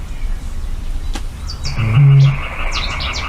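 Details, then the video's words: A Eurasian bittern, a year-round breeder in marshes near Urdaibai, Spain, gives a single deep, hollow boom, a low foghorn-like note lasting about half a second, with thin chirps from small birds above it. "y este es el sonido que hace el avetoro"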